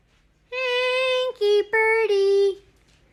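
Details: A 19-year-old female Congo African grey parrot gives four held, humanlike tones, a long steady note then three slightly lower, sung-sounding syllables, in a quiet room.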